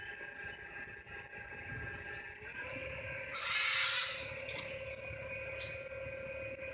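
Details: Feral blue-and-yellow macaw, likely descended from released pets, gives one harsh, raucous scream over a boat's mechanical hum with fainter squawks, on a Florida boat ride off Highway 50, 25 December 2016; screams carry up to three miles.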